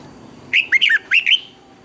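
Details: Morning song of a red-whiskered bulbul used to train other birds, with double twisted notes: five rapid, loud, slurred whistled phrases in under a second, rising and falling, against a quiet background.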